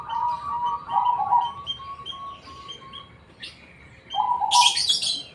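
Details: Zebra dove, black cemani form, singing: quick rolling coos in the first second, then softer spaced coo notes and high chirps from other birds, ending with another coo run and a loud rustling burst.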